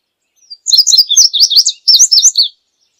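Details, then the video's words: Passerina cyanea, the indigo bunting, gives a quick, high warbling song of paired slurred notes in two closely spaced bursts, clear and without other sounds. "Azulejo Indigo Canto! Llamado! Sonido! Cantando! - Indigo Bunting Song - Passerina Cyanea"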